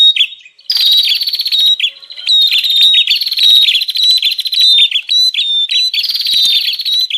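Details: Continuous noisy chatter of a bar-winged prinia, recorded as a lure for wild birds: rapid buzzy rattles with bright whistled accents and dipping chips running almost without a break.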